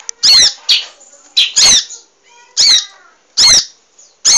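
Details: An emprit, or munia, singing energetically as training material for cage birds gives loud, buzzy, squeaky chirps roughly once a second, some paired, with a faint softer trill between them.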